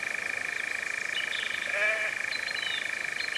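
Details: European nightjar churring in Cefn Ddu forestry, North Wales, UK, in May 2026, the first nightjar of the year, recorded at dusk or dawn: a dry, steady, mechanical trill that never pauses. A brief human voice cuts in, with thin high whistles behind.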